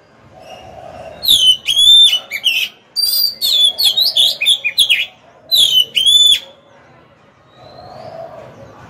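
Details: Decoy Oriental magpie-robin singing to lure wild rivals into fighting. It gives a rapid sequence of varied whistled notes and chattering slurs for about five seconds, then falls silent apart from a soft high whistle.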